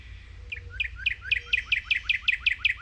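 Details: Northern cardinals chirping while waiting for seeds to fall to the ground as a squirrel eats its breakfast; a fast series of about twelve loud, clear, down-slurred whistled notes, evenly spaced and growing stronger, over a low background rumble.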